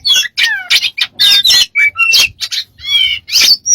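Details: Varied bird sounds: falling slurred whistles, squawky bursts, pure short whistles and a buzzy warble, packed into quick phrases with short gaps.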